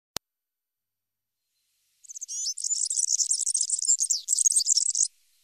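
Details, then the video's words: European serin song offered as tutoring material for young birds: after a single click and two seconds of silence, a rapid, high, sizzling jingle of tumbling notes runs for about three seconds, with no other sounds. "ΦΩΝΕΣ ΑΠΟ ΟΡΓΑΝΕΛΙ EYROPEAN SERIN"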